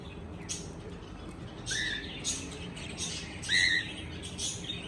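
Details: Cockatiel chirping: two ringing whistled calls about two seconds apart, each a short rising note rich in overtones, with softer scratchy sounds between them.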